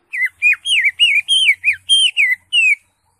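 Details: Greater green leafbird song in the ngekek style: a loud, clear series of about nine arched, slurred whistles, each rising then falling, delivered in steady succession over under three seconds.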